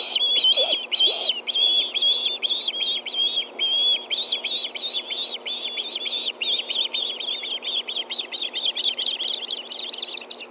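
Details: Evening food calling by two ospreys at the Hellgate Canyon nest in Montana, September 2013, as one takes a fish. Rapid, insistent piping that speeds up into a dense, harsh stream of chirps.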